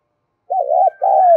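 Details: Spotted dove giving a stimulating call for other doves: a low, mellow double coo, the first part wobbling and the second held longer and easing downward. A faint higher tone sits above it.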